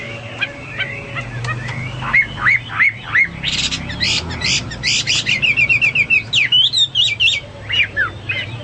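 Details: Hwamei singing energetically as tutor material for caged songbirds: soft quick notes, then loud harsh bursts, a fast even trill and looping whistled phrases, over a light background hum.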